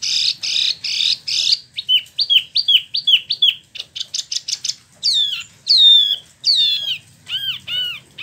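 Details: Spot-throated Babbler kept caged for a year in West Java, just out of moult, delivers a varied 'ngeroll' song: buzzy bars, a string of hooked whistles, then long sweeping downslurred notes.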